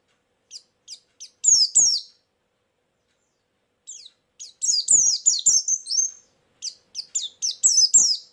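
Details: Lure sound of a white-eye: short, scattered high chirps separated by a long silence, then bursts of rapid, tumbling twitters and sharp, descending notes, with faint clicks below.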